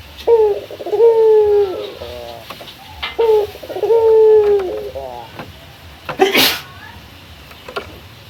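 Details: Local male Barbary dove (puter) calling a rival: two coo phrases, each a short note then a longer falling one with stuttered tails, and a sharp rustling burst afterward.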